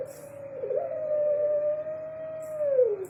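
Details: Single drawn-out coo of a caged Barbary dove of the puter pelung kind: a rising onset, a long level note, then a downward slide, with faint rustling and a low hum.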